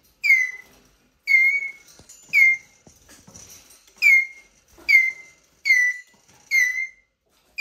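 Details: Male Eurasian jay squeaking plaintively while a person talks to it: loud, clear, descending whistled squeaks, eight of them, roughly one a second, each sliding down and ending in a short level tail; quiet rustling between calls.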